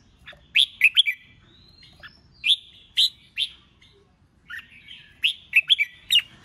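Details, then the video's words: Red-whiskered bulbul in contest-style singing, with short bright whistled phrases of two to four quick notes, spaced by pauses of about a second, some sharp high flicks. "Kích Chào Mào Hót Đấu"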